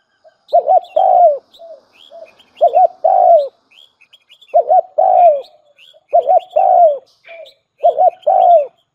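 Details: Spotted dove used as a decoy gives five phrases over nine seconds. Each has a quick double coo followed by a longer falling note, sometimes with a short soft extra coo. Small birds twitter faintly.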